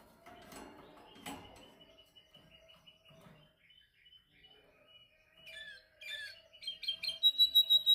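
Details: Canary during singing training, practising to perfect its song; a quiet, scratchy, uneven start gives way to louder bright chirps and fast high trills building toward the end, with a steady low hum underneath.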